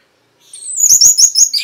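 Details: Orange-headed thrush (anis merah), a caged bird, singing a lively, energetic song used as a lure to stimulate silent birds to sing: a rapid run of high, sharp, tumbling whistled notes after a brief silence.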